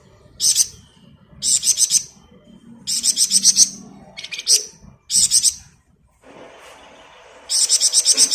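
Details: Malaysian pied fantail in vigorous ngebren-style song, kept as a master recording for tutoring songbirds: high, rapid pulsed phrases of four to six sharp notes each, repeated about every second, then a harsh hissing noise near the end.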